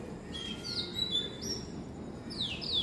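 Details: An Oriental magpie-robin sings in the evening, though it usually sings in the morning. It gives clear, high whistled phrases with sliding notes, some rising and some falling, over a steady low rumble of background noise.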